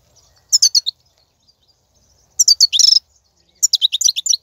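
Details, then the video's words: ['Wild European goldfinch singing, recorded in 2019 for playback to encourage captive goldfinches: three bright bursts of fast, tinkling twitters, the middle one ending in a buzzy rattled trill.'] "بتبتة الحسون , (بتبتة برية 2019) , فيديو تحفيزي"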